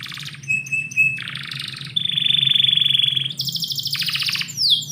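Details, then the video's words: Canary singing indoors in the morning: a varied song of steady whistled notes near one pitch, a sustained rapid trill, then high buzzy rattles and quick descending sweeps, with a low household hum underneath. "KICAU BURUNG KENARI - DIPAGI HARI DALAM RUMAH"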